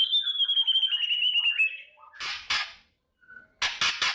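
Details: Morning kretekan of a white-rumped shama aimed at stirring fighting spirit: a falling trilled whistle, then loud rasping rattles with a soft low whistle in the pause between.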